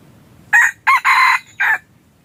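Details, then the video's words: Red junglefowl crowing as a decoy for hunting wild junglefowl: a brisk four-part crow with a short opening note, a quick second note, a longer harsh middle syllable and a clipped final note, all within about a second and a half. "ต่อไก่ป่า yos hav zoov dib qaib qus tuaj zoo heev"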